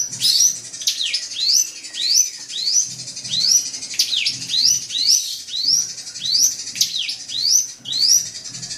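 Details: Drongo song to excite a competing bird: a steady series of upslurred whistles, about two each second, with occasional sharp down-up sweeps and a faint low rumble beneath.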